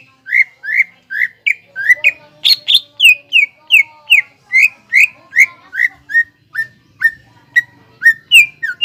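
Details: Greater green leafbird in full energetic song, played as a lure to stir untrained birds into singing: a steady run of about twenty loud whistled notes, each sharply falling, paced roughly every half second, some notes higher and buzzier.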